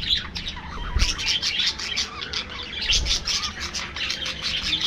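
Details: A flock of budgerigars in an aviary during their afternoon feed, giving continuous overlapping high chirps, squeaks and warbled chatter, with a few low thumps like wing flaps or movement around the first and third seconds.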